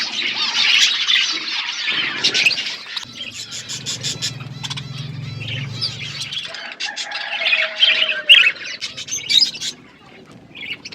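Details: Budgerigar flock at food, probably in an aviary: chirping chatter with a low humming in the middle, clicks, then a quieter tail as calls fade.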